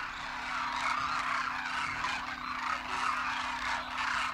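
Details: Hundreds of migratory demoiselle cranes forage near a waterhole in the dry winter landscape of Kheechan Village, Rajasthan, North India, filling the air with a continuous overlapping chorus of rolling, trumpeting calls from the flock.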